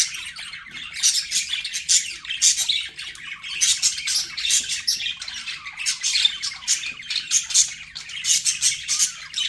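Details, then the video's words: Budgies as pets produce a nonstop stream of shrill, grating chirps and squawks, closely spaced pulses with small whistled notes mixed in. "BUDGIE SOUNDS"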